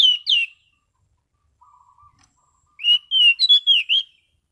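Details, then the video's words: Orange-sided thrush in prime condition singing a relaxed, clear ngeplong-style song: a bright whistled phrase, a soft low hum-like note, then a run of loud rising and falling whistled notes. "Burung Anis Cendana Ngeplong Santai"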